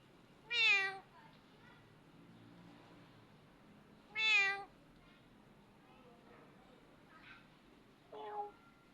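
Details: Clever talking parrot making cat sounds to call the cat: two loud, rich meow-like calls about four seconds apart, then fainter short calls and a closing weaker meow, with quiet room noise between.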